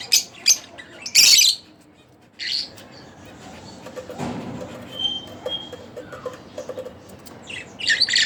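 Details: Split Blue Fischer's lovebird kept as a pet, chirping: scattered sharp high squeaky bursts with long quiet gaps between, a thin faint whistle in the middle.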